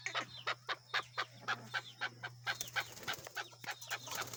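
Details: A domestic male chukar, free outside and used to people, repeats hard clucks at a steady pace of roughly four per second, with a constant low hum underneath.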